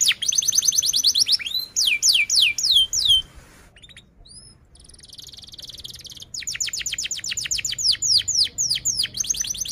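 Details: Canary in full long song meant to coach young birds and stimulate silent ones: fast runs of high, steeply falling whistled notes and rattling trills, broken by a short quiet gap with a few thin upslurred notes.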